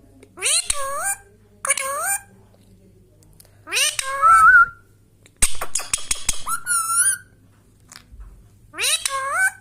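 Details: Indian Ringneck Parrot kept as a pet, mixing harsh nasal squawks with rising whistled notes in irregular bursts separated by pauses, with one loud clear upslurred whistle near the middle.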